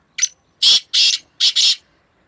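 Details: A black francolin, one of two birds in a strong call match on 2 May 2024, gives a short note followed by two long, coarse notes and a closing rapid pair, loud and close in quiet surroundings.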